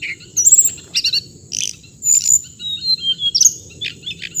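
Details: Brief hồng hạnh bird song of loud chirps and quick whistled slurs, several notes in rapid succession, with a steady high hiss and a murmuring low background.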